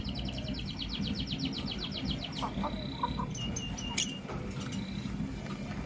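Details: Blue lovebird chirping in the morning: a fast run of about fifteen sharp repeated chirps, then scattered short whistled notes and clicks over steady low hum.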